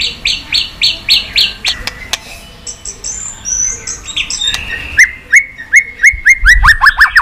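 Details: White-rumped shama singing to stimulate pet shamas. A string of repeated sharp whistled notes comes first, then quieter warbling. It ends in a fast series of short downward-slurred whistles, several per second.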